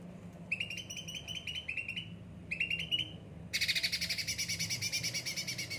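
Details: Cucak ranting, yellow-headed ocean green type kept and often pampered, giving clusters of quick rising chirped phrases with short pauses, then breaking into a dense, loud, rapid buzzy trill; low background hum throughout.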